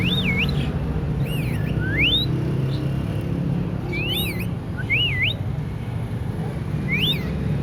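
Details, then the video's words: A hand-tame talking lovebird gives clear, sweeping whistles, wavy and rising, in short bursts about once a second, imitating a ringneck, over a steady low rumble. "Talking love birds Wistling like a Ringneck"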